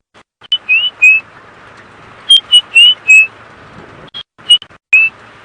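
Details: White-browed scrub robin on a sunrise safari drive at 7 AM, 20 March 2017, in a South African game reserve: short bursts of two to four clear, high whistled notes, some slurred upward, about every 1.5 seconds, over a quiet background.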